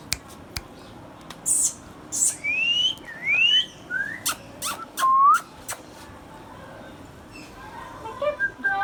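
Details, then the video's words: Hand-tame pet Indian ringneck parakeet making a series of clear whistles that sweep upward and downward, some arched, separated by sharp clicks, with softer chatter at the end. "Green Ringneck Parrot sounds"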